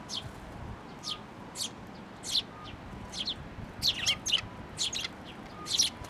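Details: Parent sparrow at a Tenmangu shrine on 16 May 2024, come for food and turning suddenly aggressive: short, sharp, high chirps given singly or in quick pairs and triplets, irregularly spaced, over steady low background noise.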